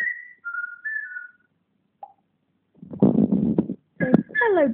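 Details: A pet African grey parrot learning to talk opens with a series of steady whistled notes, one high and the rest a little lower. A burst of rough, broadband noise and voice-like sounds follows.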